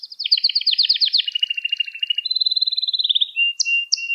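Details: Canary song used to train young canaries, made of rapid tumbling trills at two pitches, a steady lower warble, a fast high roll, then two short bright whistled notes.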